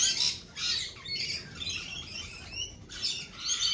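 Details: Lorikeets give loud, grating squawks in separate bursts about half a second long, with quieter chatter between them.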